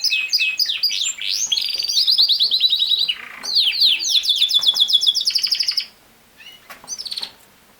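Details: Canary song: about six seconds of dense, high trills and chattering, rapidly repeated notes, some rolling and some buzzy, then a short pause followed by a few softer, isolated chirps.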